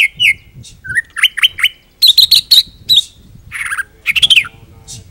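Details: White-rumped shama singing a varied full-repertoire song meant as a master recording for training other birds: loud whistled notes, rapid rising chirps and sharp high clicks in quick bursts with short pauses.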